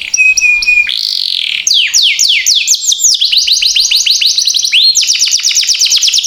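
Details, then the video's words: Canary singing, used as a lure to stimulate other canaries to sing: loud continuous song of fast repeated downward-sweeping high notes in quick trills, with a steady whistled tone at the start and a buzzy rising phrase. "Pancingan KENARI Gacor PANJANG Cuit-Cuit Emosi Isian MEWAH"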